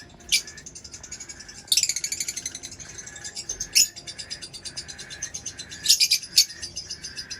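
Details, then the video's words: Rapid, rattling high-pitched chatter from a lovebird, running almost without pause, punctuated by several sharp, loud shrieks. "Lovebird Chirping Sounds"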